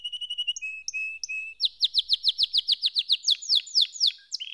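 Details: Canary starting with a few slow, level whistled notes, then breaking into a rapid, regular trill of sharply rising notes, about four per second.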